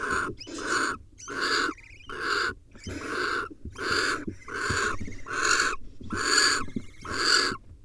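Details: At a wild barn owl nest, a male brings a nestling swallow as prey for the young. Steady, rasping hissed screeches repeat about once a second in a regular series of even bursts with a faint background rumble.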